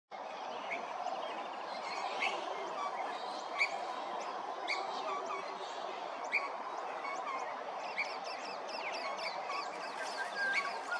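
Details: White-throated honeyeater (Melithreptus albogularis) calling at Hervey Bay, Queensland: short, high, sharp chirps at an uneven pace, some in quick clusters, over a steady low rushing background noise.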